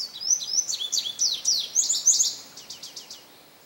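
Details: Male Indigo bunting at St. Johns Conservation, May 25, 2022, delivering a full song: sharp, high slurred notes in pairs over about two and a half seconds, ending in a trailing series of softer, rapid downslurred chips.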